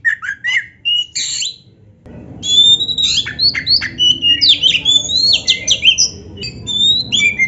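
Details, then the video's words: Lively Oriental magpie-robin song used as a master recording to provoke other magpie-robins into singing: sharp whistled notes and fast buzzy rising and falling phrases, a short pause, then a dense rich run of varied notes over a low background hum. "MASTERAN KACER GACOR ISIAN MEWAH ‼️ - AMPUH BIKIN KACER LAIN CEPAT PANAS"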